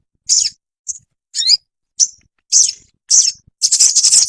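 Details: Ruby-cheeked sunbird (sogon) training song for caged birds. Separate high, sharp chirps spaced about half a second apart, some slurred downward, building into a rapid, dense chatter at the end.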